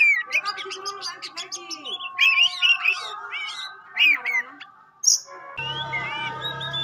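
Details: Oriental magpie-robin of the kind called kacer pastol, offered as a bird to test other magpie-robins. It gives a rich, varied song of quick whistled notes, buzzy rising slurs and chattering bursts over a steady tonal hum, with a low drone near the end.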